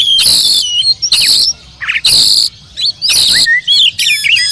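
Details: Oriental magpie-robin song built around loud, harsh, ringing bursts repeated about once a second, with short thin whistles and twittering notes in the gaps between them.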